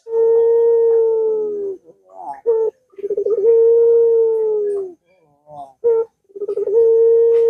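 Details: Long-drawn puter dove coos used as a lure to make lazy doves sing: each begins with a rapid rolling stutter and settles into a level, humming low tone, with short clipped notes between repeats.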